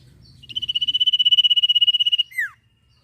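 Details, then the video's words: Energetic sirpu trilling, meant as training audio for songbirds: a clean, loud, fast trill of about twenty pulses on one high pitch lasting nearly two seconds, capped with a short downward-sweeping whistle, little background. "sirpu gacor ngetir bagus buat masteran burung anda"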